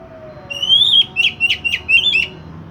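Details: Oriental magpie-robin song played to coax a silent bird into singing: a long rising whistle followed by a quick series of four or five sharp, high chipping notes.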